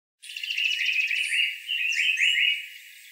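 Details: African paradise flycatcher (Terpsiphone viridis) giving a fast, ringing run of repeated whistled notes, then a few clear, slurred whistles; the male's song is a mellow 5-6 note warble, and its contact call is a loud raspy "zweet-zwayt". Faint higher chirps sound behind it.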